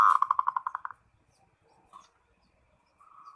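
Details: Zebra dove calling a rival: a quick, loud series of pulsed coos lasting about a second, then only faint, distant single notes.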